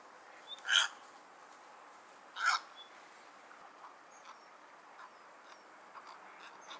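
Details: Cattle egret, locally called Bagula, from Pakistan or India; two harsh, croaking calls about two seconds apart, then faint soft notes over a quiet, hissy background.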